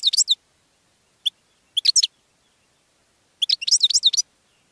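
A goldfinch sings quick, high, tinkling twitters in short bursts with brief pauses between them, ending in a longer jumbled phrase. The background is quiet.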